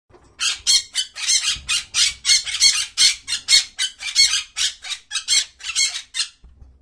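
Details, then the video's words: Parrot squawking: a rapid, steady series of about twenty harsh, raspy, broadband squawks, roughly three per second, with little other sound behind them. "Parrot squawking"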